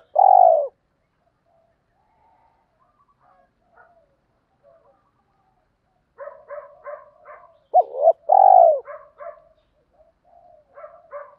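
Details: Spotted dove coos for stimulating training birds: a loud coo at the start and another two-part phrase later, amid softer repeated chirping notes from another bird.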